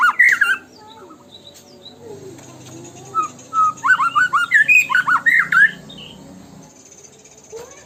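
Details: White-rumped shama in tembakan song, played to provoke other birds into full singing: a quick run of sharp, rising whistled notes, followed by a loud cluster of slurred whistles and a faint low hum beneath.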